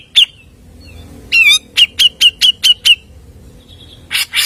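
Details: Grey-cheeked bulbul lure recording: a sharp chirp, a wavering whistled phrase, six evenly spaced bright chirps, then a faint whistle and harsh rasping notes.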